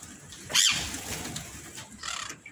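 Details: Indian ringneck parrot in an aviary giving one loud, harsh, high screech about half a second in, followed by fainter scratchy calls near the end against steady background noise.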